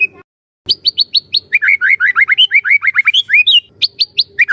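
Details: White-rumped shama song for training other shamas to sing: clear whistled notes repeated in quick series, alternating higher and lower phrases with rising slurs, loud and continuous.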